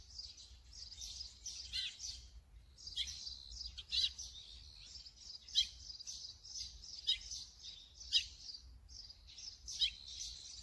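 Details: Brown-eared bulbul filmed on a Sony camera with a 200-600mm lens, uttering a run of shrill, overlapping chirps with sharp falling accents roughly every second, steady low background hum.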